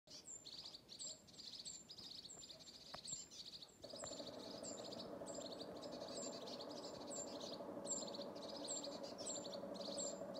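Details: A group of agitated tits mobbing a Eurasian pygmy owl in Oslo on 12 January 2020, recorded by mobile phone: steady buzzy churring chatter pulsing in quick bursts with thin high notes, over a constant low rumbling background.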